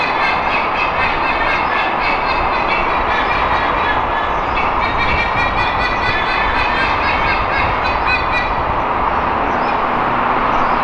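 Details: In Singapore, a white-bellied sea eagle couple gives loud honking warnings so that a young intruder knows it is not welcome on their territory. A rapid, regular run of harsh, stacked honks plays over a constant noisy hiss.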